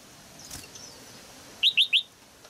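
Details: Caged female red-whiskered bulbul singing to excite an adult male: a quick burst of three clear, slurred whistled notes near the end, after faint background chirping.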